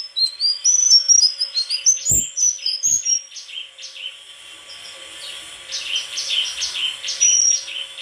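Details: White-throated flycatcher singing a varied string of high whistled and chirping notes, many sliding downward, delivered in quick bursts with a brief quieter pause midway, then a renewed run of bright phrases.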